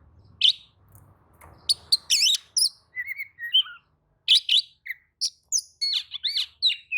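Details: Oriental magpie-robin answering another magpie-robin: dense bursts of sharp chips, buzzy rasps and sliding whistles in rapid succession, with a low rumble in the opening seconds.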